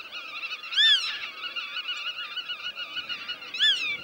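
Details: Black-tailed godwit, a meadow bird breeding in the polders of the Netherlands. A steady, wavering nasal chatter runs throughout, broken by two loud arched, squealing notes near the start and end.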